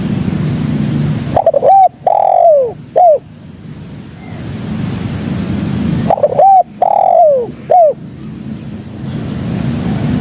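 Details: Spotted dove lure call to attract other doves: two well-spaced phrases, each two short hooked notes, a drawn-out falling coo and a closing short note, with low hum between.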